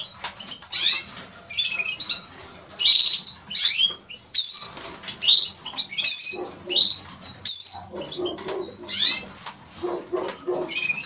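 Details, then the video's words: Song of a Eurasian siskin: a fast sequence of twittered notes and sharp descending whistles, repeated roughly once a second, high and bright, with some lower chattering notes late in the phrase. "Eurasian siskin Song -Spinus Spinus -Scatiu"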